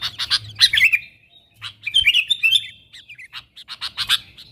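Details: Sooty-headed bulbul lure calls meant to attract wild bulbuls: scratchy clicks and chatter mixed with short, fluty warbled phrases, a slightly noisier background with low hum throughout.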